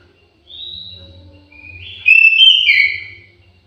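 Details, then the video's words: Orange-headed thrush in an aviary singing. A thin high whistle is followed by a louder, richer warbled phrase of sliding whistled notes that rise and fall. Faint low rumble in the background. "KICAU MERDU BURUNG ANIS MERAH"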